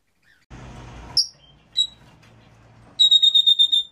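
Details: Song of a red-rumped parrot meant to encourage mating, opening after a burst of rustling noise with a few sharp high whistles, then a quick run of about eight evenly repeated piping notes.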